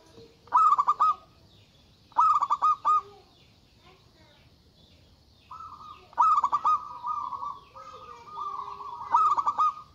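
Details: Local zebra dove, described as loud and agitated, calling to provoke rivals: short bursts of rapid stuttering notes at about one-and-a-half-second gaps, alternating with longer steady buzzy tones, over a faint background hiss.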